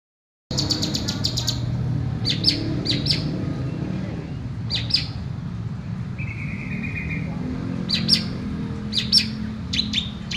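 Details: Home-kept long-tailed shrike singing actively, giving scattered high, sharp notes and short clusters of bright chips, plus one brief buzzy note, over a steady low rumble of traffic-like background noise.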